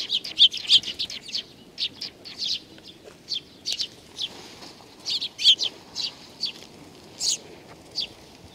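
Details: Sparrows that come to be fed at a Tenmangu shrine on Nakanoshima, recorded 7 June 2020: bright, clipped chirps in rapid, uneven bursts, several per second at times, against a quiet background.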